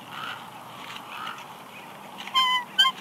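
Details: Wild female bald eagle on the nest at Big Bear Lake, California, 6 March 2021, whining as her mate delivers a headless fish; two short, loud, harmonic-rich squealing notes near the end after quiet nest noise.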